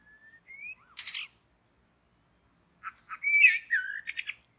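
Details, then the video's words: White-rumped shama singing in forest, recorded while trapping birds: a thin rising whistle, a buzzy burst, then after a pause a loud phrase of sliding whistles and rapid chattering notes. "Mikat Burung Murai Batu dihutan"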